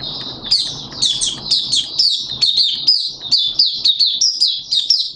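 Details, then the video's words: Malaysian Oriental white-eye hobby bird in buka sing (open singing): a dense, rapid series of high, bright chirps and down-sliding whistled notes, nearly continuous for five seconds. "Malaysian Mata Puteh Buka Sing"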